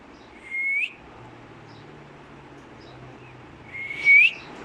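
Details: Black-capped lory kept as a talking pet, giving two short, clear whistles that slide upward, the second about three and a half seconds after the first, over a quiet low hum.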